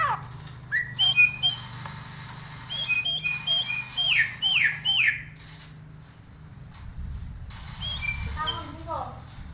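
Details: Nias hill myna in breeding condition, described as aggressive and head-nodding, singing a varied fill song: loud hooked whistles and harsh squawks in bursts, falling then rising, followed by quieter chatter and a low background hum.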